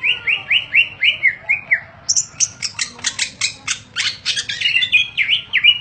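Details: Greater green leafbird in 'ngentrok' contest form, a caged bird ready to compete, gives a 'full isian' song. It opens with a steady series of repeated upslurred whistles, then rapid, clicking, buzzy high notes, then quick descending whistled swoops.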